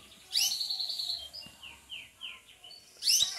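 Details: A Belgian canary sunbathing sings high, bright bursts of trilled, chattering notes, with a run of four quick downslurred whistles between them.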